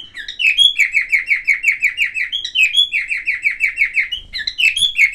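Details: Chirping song of a silver-coloured cockatiel making various sounds: steady runs of quick downward-sliding notes near three per second, interspersed with rising whistles, and a soft thump near the end.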